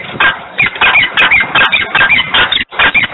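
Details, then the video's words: Harsh, rasping screams of a peregrine falcon recorded in Włocławek at 10:36 on 3 December 2020, repeated roughly two or three times per second in an uneven, insistent chatter. "Glinka rozwrzeszczana 10:36 Włocławek 3.12.2020 sokół wędrowny"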